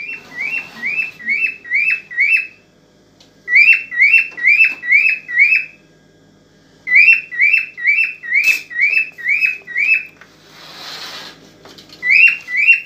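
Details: Aroused cockatiel song meant to stir a female toward mating, delivered as repeated runs of five to six quick, falling whistles with a brief gap between runs; a short click and a burst of hiss break in near the end.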